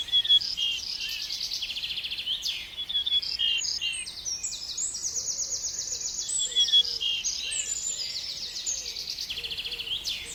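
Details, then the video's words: A bird sings steadily: high rapid trills and buzzy repeated-note phrases changing every second or so, mixed with sharp whistled chirps. Faint low warbling notes from another bird sit underneath. "Bird Sound || Nature sound || Bird is Singing"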